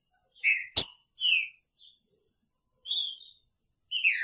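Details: Captive male green-winged saltator caged together with his female sings short, clear whistled phrases, some falling in pitch, with pauses between them and a sharp click near the start.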